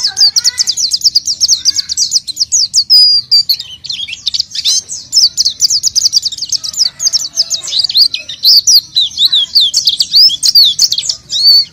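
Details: Oriental white-eye in full, vigorous song, meant to draw out untrained birds. A long, unbroken chatter of thin, high slurred whistles and ticks, jittery and fast throughout.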